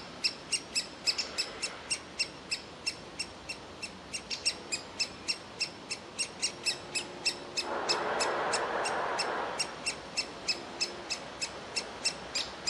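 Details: Nestling woodpecker in a tree cavity, still begging for food instead of leaving: rapid, insistent, sharp high notes, about three per second, long and unbroken, with a brief rushing noise partway through.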